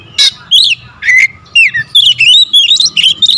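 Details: Magpie-robin (kacer) pancingan song in the dense 'tembakan rapat' style: loud, sharp whistled notes and quick slurred phrases, falling and rising, in rapid bursts about every quarter second, with a faint low hum beneath.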